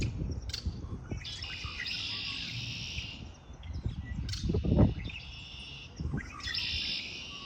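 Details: Spring birdsong outdoors: bursts of high chirping and twittering come in three spells, separated by quieter gaps, over a steady low rumble of background noise.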